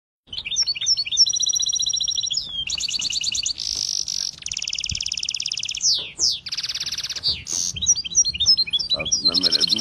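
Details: Contest-winning canary from England, a singing-contest champion, pours out a bright high song: rapid trills, buzzy rolled tours, sweeping slurred notes and chirps, changing phrase every second or so, nearly continuous.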